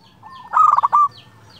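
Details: One song phrase from a local zebra dove singing clearly to provoke a rival: a soft rising coo, then a burst of rapid stuttering notes, closing with a sustained clear tone over a low background hum.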